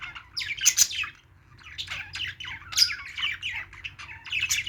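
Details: Playing parakeets (budgerigars) give bursts of scratchy, warbling chirps and squawks separated by short gaps, with a quiet spell after the first second and a low background hum.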